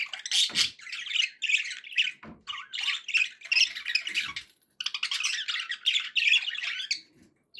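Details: Pet budgies chattering and warbling in long, dense bursts of raspy, scratchy notes mixed with higher chirps, pausing briefly mid-way before resuming.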